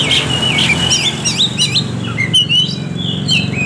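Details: Oriental magpie-robin song used as a lure to make lazy birds sing: looping, bouncy whistles that swoop up and down, then thinner sliding notes, over a constant low hum.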